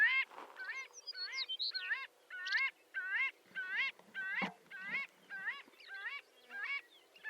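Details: Marbled godwit (Limosa fedoa) calling in a rapid, uneven series of a dozen or more short, nasal, upslurred notes, possibly several birds, with background noise and a few sharp clicks.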